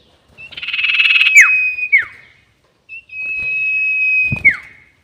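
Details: Sirtu lure call: a buzzy rasping burst leads into a level high whistle that drops sharply at the end. After a pause a second long even whistle closes with the same downward flick. A knock sounds near the end.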